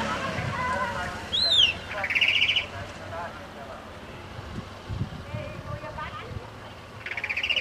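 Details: Chalk-browed mockingbird singing: a sharp downslurred note, then a short rasping, chattering burst, with another burst at the end, over steady background hiss and faint voices.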